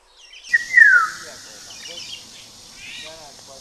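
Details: Kaohsiung City, 9 May 2016: a Black-naped oriole gives a clear whistle that glides down from a higher to a lower pitch, over a steady hiss, with faint voice-like sounds afterward.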